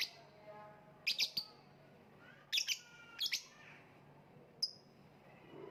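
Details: Lovebird calling in short groups of piercing, high squeaky chirps, two or three notes each, separated by pauses of about a second, with a final single sharp note; faint low hum underneath.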